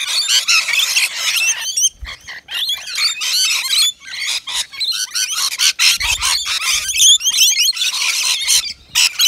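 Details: A flock of rainbow lorikeets at a balcony feeder serving nectar mix, native Australian birds; harsh, high-pitched chattering and screeching in clustered bursts over nine seconds, with a few soft low knocks.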